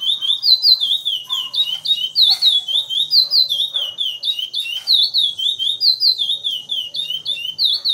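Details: Chestnut-bellied seed finch, a captive Brazilian bird, delivering the Praia Grande classic song: continuous clear whistled slurs, each dipping then rising, strung together in a rapid repeated rhythm over a quiet room background.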